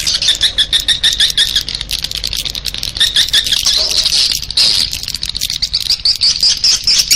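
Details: Swiftlets' attracting call, a clear high twittering stream of fast chittering notes that runs almost without break, brightening and rising slightly toward the end.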